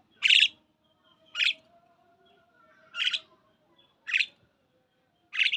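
A myna gives five harsh, broadband chirps at irregular intervals, about one per second, each short and loud, with a faint low hum underneath.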